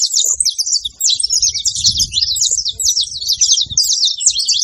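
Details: Saffron finch pouring out a rapid, busy string of high chirps and twittered slurs, almost continuous, over a soft low rumbling background noise.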